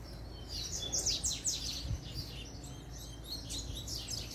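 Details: Double-collared seedeater singing in the puxada style: quick high chirps and short descending sweeps, loudest early and then fading into softer, scattered twittering over a low steady background hum.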